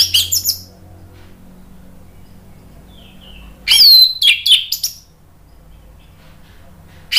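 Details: Short bursts of high, squeaky, tumbling notes from an orange-headed thrush, used as therapy to restart singing in birds that have gone quiet, separated by long gaps with a faint low hum.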